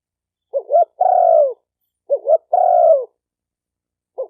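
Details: Spotted dove cooing: a short two-part rising note followed by a longer steady falling coo, the phrase repeated about every 1.6 seconds against a silent background.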